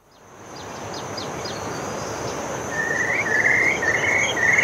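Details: Whimbrel in The Gambia giving a rapid rippling series of even whistled notes in the second half, over steady wind-like noise, a high insect hum and faint thin chirps.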